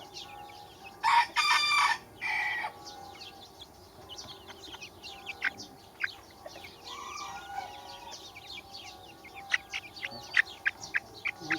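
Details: Baby chickens peeping in a busy chorus of thin, sharp descending chirps, preceded by a couple of loud, broad, rasping bursts early on, then chirps growing denser toward the end.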